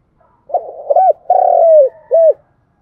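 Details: Single deep cooing phrase of a spotted dove, used as a decoy for trapping: soft stuttering notes, a rounded coo, a long even coo dropping at the end, and a short final coo.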